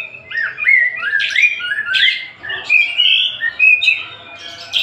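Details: Tasik kacer, or Oriental magpie-robin, pours out a continuous melodious song of fluting, rising and falling whistles. Scratchy buzzes are woven in, loud and close with little background noise.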